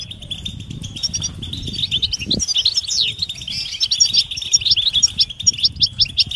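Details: European goldfinch readiness and mating calls that stimulate silent males: twittering starts soft and grows into a fast, liquid chatter of high tinkling notes with a few downslurred whistles, over faint low rumble.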